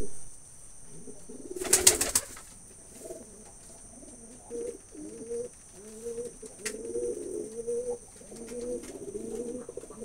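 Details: After a loud brief clatter, pigeons begin soft rhythmic cooing, short low doubled notes repeated through the rest of the recording under a constant high hum.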